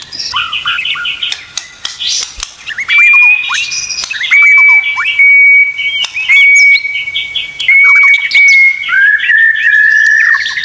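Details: Murai batu, or white-rumped shama, in an 'isian tembakan' tutoring song: scattered chattering notes at first, then long, steady pure whistles repeated several times, interspersed with short flicking sounds and a final lower whistle.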